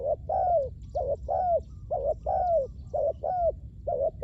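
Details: Spotted dove decoy calling to lure wild doves, rhythmic paired coos, short then long and downslurred, about one pair per second, steady and clear over low ambient hum.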